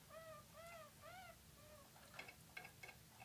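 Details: Six-month-old Harzer Roller canaries in competition training, four singing together; soft arched whistled notes repeated every half second, followed by sharp clicking notes.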